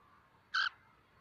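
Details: Cockatiel after bathing, preparing for the mating season, giving a single short, harsh, rasping squawk with a layered, harmonic tone, in an otherwise quiet setting.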